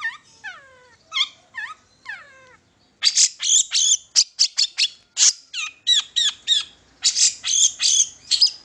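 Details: Lure recording of a long-tailed shrike singing to prompt other shrikes: it opens with slurred, descending whistles, then shifts after a short gap into fast, harsh, high chattering notes repeated steadily to the end.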